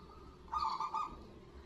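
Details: Local zebra dove calling loudly, a lure meant to make lazy or newly caught doves respond. A single short, rapid string of throaty coos lasts just over half a second over a faint, even background hiss.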